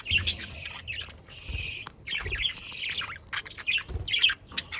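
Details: Budgerigars kept as pets warbling and squawking, a rough continuous twitter of grating notes with a few louder squawks and dull low bumps. Used to encourage pet budgerigars to sing.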